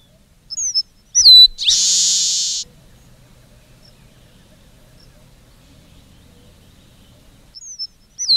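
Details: Red-breasted meadowlark (Leistes militaris) song: a few sharp whistled notes sliding down, then a long harsh buzzy wheeze lasting about a second, followed by quiet low background hum and a fresh whistled opening at the end.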